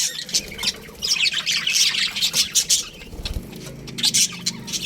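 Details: Young budgerigars in an aviary, many birds calling at once in a busy stream of shrill chirps, squeaky twitters and harsh squawks, rising in intensity after the first second, with a soft low rumble beneath.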